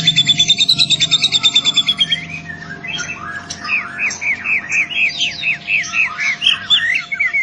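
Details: Young white-rumped shama (trotol) singing vigorously: a fast run of high, even, buzzy notes for two seconds, then a lively string of short rising and falling whistled phrases, with a steady faint electrical hum behind.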